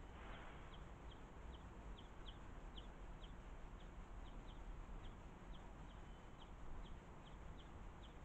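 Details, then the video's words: Juvenile European greenfinch waiting for a parent to feed it at a garden feeder, giving short high chirps repeated about twice a second throughout, over steady low background rumble. "Juvenile Greenfinch Patiently Waiting For Parent"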